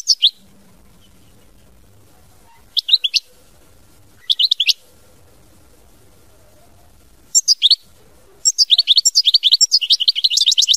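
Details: European goldfinch singing in short high bursts of twittering notes separated by silent gaps, ending in a longer run of rapid liquid twitters; faint low background hum.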